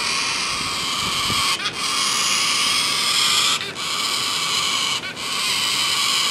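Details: One of many tame Yellow-crested Cockatoos at Lorne, fed by people, makes a near-continuous harsh, raspy screeching broken by three short pauses.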